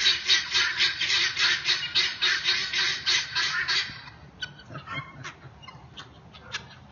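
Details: Loud guineafowl in a neighbourhood giving a rapid, rhythmic run of harsh rasping notes, about four per second, for four seconds, then fainter scattered notes from other birds.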